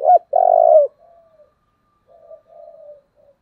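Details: Spotted dove singing in the forceful 'giọng thổ' coo style, offered as a model for luring. A short hooked note leads into a loud, steady, throaty coo, then softer trailing coos fade out.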